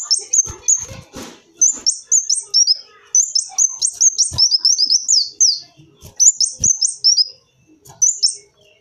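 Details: High, rapid kolibri wulung sunbird twitter used as a lure: repeated phrases of squeaky descending notes, with rattling background noise and clicks through the first second.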